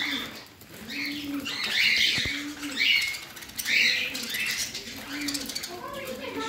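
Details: Parrot kept indoors, calling in scratchy chirped phrases about once a second, mixed with low, rounded cooing notes and a brief tap.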